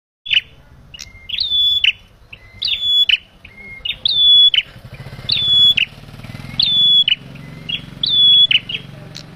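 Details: Male bar-winged prinia calling, used to attract birds for trapping. Six or so phrases: each is a short low note and a sustained high whistle ending in buzzy chirps. Spacing is fairly regular, over a steady low rumbling background.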